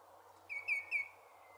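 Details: Common greenshank at a local nature reserve in Milton Keynes, UK, one bird joined by another, giving its typical call: three clear ringing whistled notes in quick succession, evenly pitched, over faint low background hum.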